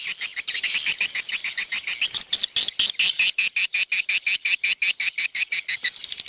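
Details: Swiftlet call for attracting swiftlets to a crowded bird house: a clear, dense train of rapid, high buzzy chirps repeated several times per second, with slight pauses and no other sounds.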